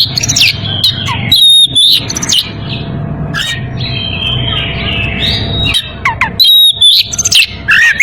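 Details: Oriental magpie-robin in breeding condition calling a rival: loud, varied whistled phrases with sharp upward and downward sweeps and rapid chattering bursts, delivered in quick succession with brief pauses, over a low background hum.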